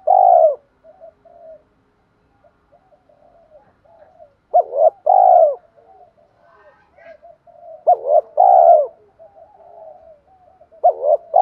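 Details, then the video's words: Spotted dove lure voice in a two-note and three-note fight-urging pattern meant to excite wild doves: repeated phrases of quick double hoots and long mellow coos, with softer cooing from another dove between them. "cu gay gọi 2 hậu và thúc đấu ba tiếng, giọng hay hạp bổi nhất hiện nay, mở nên bổi nghe phải gáy"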